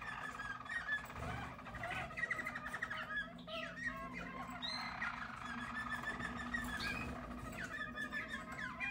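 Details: Yellow Harz German Roller canaries from a 2022 team sing soft, continuous rolling tours, low and even, broken by short rising whistled slurs, with a faint low hum behind.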